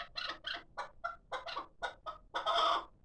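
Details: Young hybrid chukar, six months old and kept for calling, uttering a short string of rough clucks that ends in one longer, louder, grating note.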